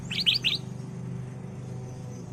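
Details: Ruby-throated bulbul (kutilang emas) lure song for training caged birds: three quick, loud chirped notes at the start, then only a steady low hum.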